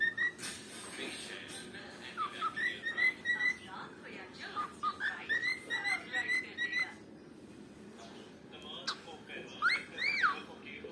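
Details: Two pet cockatiels playing together give bright whistled chirps and warbling notes in quick, uneven bursts.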